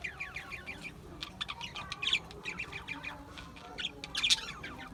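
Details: Australian budgies chatter with rapid, descending chirps and warbled notes that come in irregular bursts, several birds overlapping against a faint low hum.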